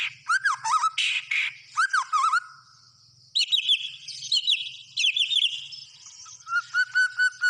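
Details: Varied white-rumped shama song: low looping whistles alternate with harsh bursts, then high fluid phrases after a brief pause, closing with a steady series of repeated even notes; faint low hum beneath.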